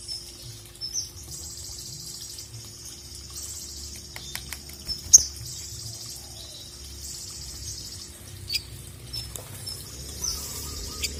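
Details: Ruby-cheeked sunbird singing to call a rival, high thin song segments held near the top of the range, broken by sharp clicks and brief pauses, with a steady low hum underneath.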